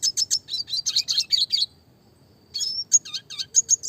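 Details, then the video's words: Classic red siskin, clear-voiced and singing actively, used to train small songbirds: a quick run of high chirps about five per second, a pause, then a thin rising whistle and looping chirped notes. "burung red siskin klasik gacor suara jernih masteran burung kecil variasi roll tembak"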